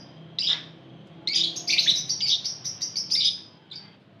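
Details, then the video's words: Lovebirds kept in a crowd, calls played to draw other lovebirds into song; one sharp chirp, a pause, then a run of fast shrill chattering notes fading to a final chirp. "PANCINGAN SUARA LOVEBIRD OMBYOKAN | LOVEBIRD LANGSUNG BUNYI"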